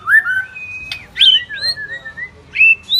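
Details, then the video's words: White-rumped shama, a village bird, singing loudly and persistently: clear whistled phrases that rise, fall and slide, broken by sharp buzzy accents, running without pause. "MURAI BATU KAMPUNG GA SANGKA NGAGETIN SUARANNYA GACOR"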